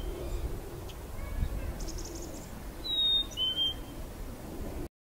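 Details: A chickadee at Boundary Bay on Saturday, 6 January 2018, whistles its clear two-note song, a higher note sliding down to a lower one, over a low background rumble with faint high twitters earlier.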